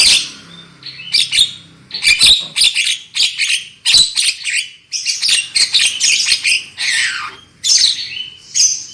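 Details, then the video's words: Lure song of a black-winged myna meant to get birds singing loudly, a dense run of harsh chattering bursts, clicks and short whistled slurs that comes almost without a break. "SUARA PANCINGAN JALAK KEBO AGAR CEPAT NGOCEH KERAS"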